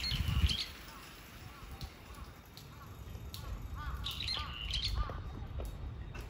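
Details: Brown-eared bulbul giving shrieking, screaming calls: soft, arched, slurred notes in quick irregular bursts, with a few sharper squeaky notes, over a low rumbling background.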